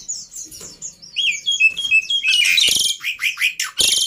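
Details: Black-winged myna lure and tutor recording with easily copied phrases: soft high chirps leading into steady whistled notes, then dense scratchy chattering and rasping calls that end in a loud harsh burst.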